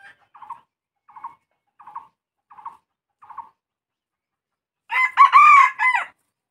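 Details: Red junglefowl crowing: a series of short, soft, evenly spaced clucking notes, then one loud, harsh, multi-part crow lasting just over a second, rising and then falling slightly, in a quiet setting.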